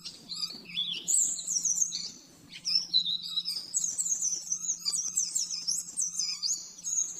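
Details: Oriental white-eye master song for training caged birds, rapid and clear: dense high twittering runs and warbled phrases, nearly continuous with a brief pause after two seconds, over a faint low hum.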